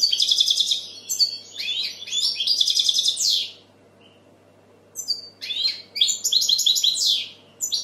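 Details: Goldfinch song in bursts of fast, liquid twitters and trilled chirps, a few seconds long, separated by a clear silent gap before another tinkling, buzzy phrase begins.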